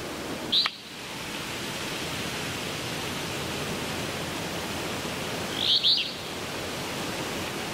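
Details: Alder flycatcher singing twice over a steady rushing background noise. A short, burry high note comes near the start. About five seconds later comes a fuller, burry two-part phrase that rises and falls.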